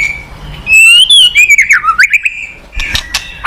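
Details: White-rumped shama song: a long sliding whistle that rises, wavers and dips, followed by a buzzy rattle of harsher notes over steady background hiss.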